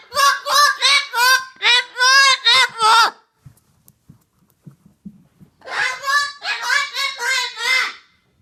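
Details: Parrot in a rage, giving harsh, raspy screams in rapid bursts, several in a row, then a few seconds of quiet with faint knocks before a second run of loud screeching, indoors.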